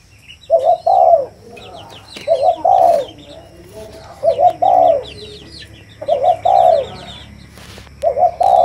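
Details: Series of deep, soft coos from a spotted dove, each phrase a quick note leading into a longer falling one, about every two seconds, with chirping birds in the background.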